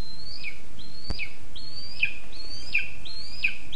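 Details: A lesser spotted eagle chick begs for food on a spruce nest in Zemgale, Latvia, 20 August 2024. It calls with a string of shrill, downslurred whistles, closely spaced and evenly repeated, against constant low hiss.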